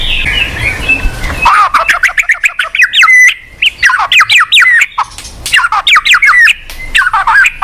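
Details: Song of a white-rumped shama, meant to prompt a silent shama to sing: a fast, varied run of slurred whistles and sharp chips in bursts, with short pauses. It opens over a soft, steady tonal background hum.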